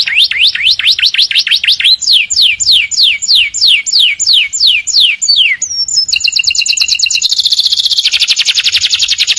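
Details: Canaries in the morning deliver a series of rising swept whistles about three per second, then a high rapid trill blending into a dense buzzy roll.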